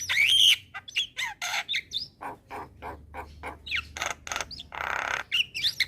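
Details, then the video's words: Javan myna (jalak kebo) singing energetically in 'gacor' style. It opens with a loud whistled note, then a series of short rasping squawks about four per second, a broad grating burst near the end, and a few thin whistles. "Kicauan Jalak Gacor - Suara Jalak Kebo Paling Gacor"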